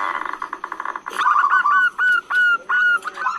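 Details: Long calling of a female zebra dove meant to lure males. Rapid stuttering notes open the phrase, then louder separate cooing notes with rising hooks follow at a steady pace of about three per second.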